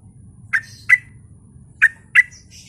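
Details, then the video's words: Sooty-headed bulbul lure song, gacor style, used to make other bulbuls answer: two pairs of short, punchy chirps, each pair quick, the pairs separated by nearly a second, with faint higher twittering and low rumble behind. "Trucuk mana yang gak nyaut dengar suara pancingan trucukan gacor ini"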